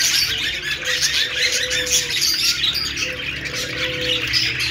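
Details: A group of cheerful budgies talking to each other: thick, fast chirping and squeaky warbling throughout, with brief low flat tones sounding twice in between.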